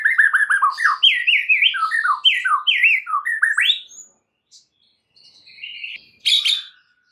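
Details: White-rumped shama song for training other shamas: a rich, fast run of varied, looping whistled notes for about four seconds, followed by quiet sparse notes and a short high burst.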